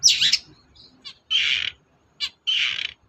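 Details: Long-tailed shrike, kept as a cage bird, singing in short loud bursts: harsh buzzy notes alternating with brief sharp clicks, about three phrases in three seconds, played to coax a silent bird into singing.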